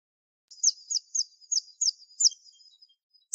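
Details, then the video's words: White-eye (pleci) song offered as an unusual master song for tutoring: a run of six thin, very high chirps, each sliding downward, spaced about a third of a second apart, then a pause over a clean, silent background. "Pleci super antik masterannya harus unik"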